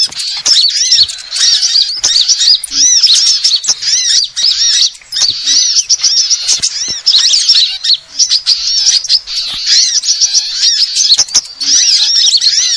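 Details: Sunbird lure sound for attracting birds: long, dense run of high arched chirps and twitters, overlapping voices, only momentary pauses.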